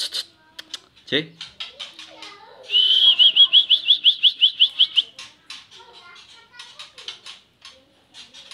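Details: White-rumped shama singing a melodious song: a run of about eleven rapid, evenly spaced whistled notes repeated over two seconds, framed by scattered sharp chips and clicks, with a brief word spoken nearby.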